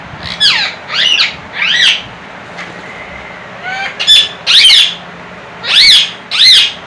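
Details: Pet talking parrot from a kept pair; several high, squawky, warbling bursts about half a second long, spaced irregularly, over a steady background hiss.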